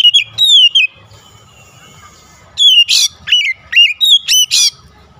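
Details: Oriental magpie-robin song serving as a lure to get a rival singing: a loud whistled phrase, a pause, then a fast burst of sliding whistles and harsh rasping notes.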